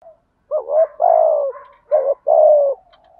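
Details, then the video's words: Captive spotted dove used as a lure, calling in the morning in the urgent "thúc gù" style to draw wild doves: short hooked coos followed by long, steady, slightly falling hoarse coos, with soft fainter notes between phrases. "Tiếng chim cu gáy mồi THÚC GÙ/ chim cu gáy mồi gáy gọi bổi buổi sáng"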